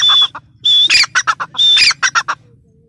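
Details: Grey francolin (teetar) calling loudly: each phrase opens with a sustained high whistle, then three or four strident, harsh notes follow in quick succession. The pattern is given twice within three seconds.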